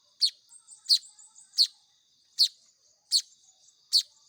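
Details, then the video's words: Weaver chicks (manyar) fed by hand give piercing chirps about every 0.7 seconds, with soft quieter twitters filling the gaps early on. "SUARA ANAKAN BURUNG MAYAR"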